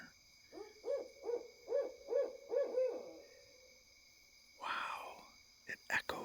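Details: An owl, called a big, loud hoot owl, gives a run of six soft, low hoots about two per second from dark trees near a neighbour's light at night, followed by a brief murmur of human voice and a few clicks.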